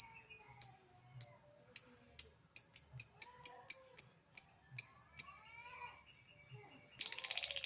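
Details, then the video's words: Lovebird giving the "ngetik" ticking sound: sharp, short high clicks repeated about twice a second, speeding up midway, then a burst of rapid chatter at the end. "Burung Lovebird Memanggil Di sertai Ngekek, Di Awali ngetik lanjut ngekek"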